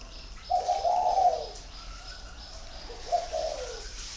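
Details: Competition cooing by a male spotted dove aged one and a half, kept in a dove garden at Ba Vì, Vietnam: two soft, low coo phrases about two and a half seconds apart over quiet background hiss.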